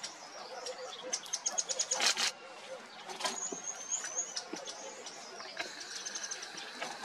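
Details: Male Plum-headed parakeet (Psittacula cyanocephala) at Sattal, Uttarakhand, India, in February 2024, giving thin, high whistled notes and sharp squeaky bursts, strung out irregularly over faint chatter from other birds.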